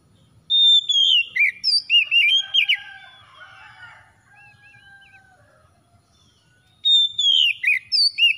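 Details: Kacer (Oriental magpie-robin) lure song to make a silent kacer sing: a rapid burst of looping whistles and chirps, a quiet stretch with faint warbling, then another fast burst of twisting notes.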